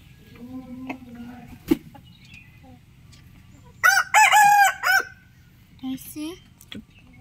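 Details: Rooster crowing in the morning: one short, loud, harmonic crow lasting about a second in the middle. Soft low clucks come before it, and a few brief clucking notes follow near the end.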